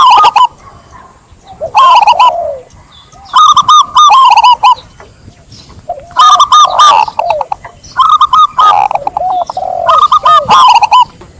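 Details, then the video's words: Zebra dove repeating its cooing song about six times, each phrase a quick run of ringing, bubbling notes, with quieter low coos linking them. "Suara burung perkutut"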